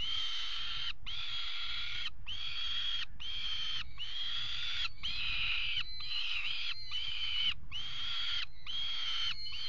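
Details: Peregrine falcons copulating on a water tower nest ledge in Axel, Netherlands, 5 February 2018, webcam: a steady run of about nine harsh, wailing calls, each near a second, separated by brief gaps, low hum beneath.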